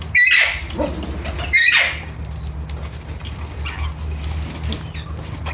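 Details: Alexandrine parakeet (Psittacula eupatria): two loud raspy squawks a second and a half apart at the start, then only soft faint notes over a low steady hum.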